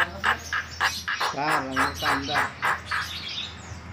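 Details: White-vented myna giving harsh, nasal squawks about every quarter second in its chatty lure song. A low hum runs beneath.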